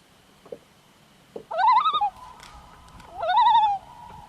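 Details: Common loon, also called Canadian loon, giving its wail: two loud wavering, tremulous notes, each rising then held level with a quavering wobble, with a faint steady tone in the background.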